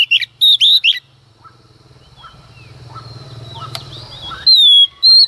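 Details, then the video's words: Female Oriental magpie-robin singing in the early morning to provoke males. Rapid loud sharp notes open, a low rumbling background swells in the middle, then a falling whistle and another note return. "Choè than mái hót kích trống hót căng sáng sớm"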